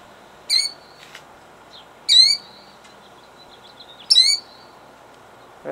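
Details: Killdeer at her eggs in Jackson, New Jersey, 2008, calling three loud, shrill cries about one and a half seconds apart, followed at the end by a brief human voice.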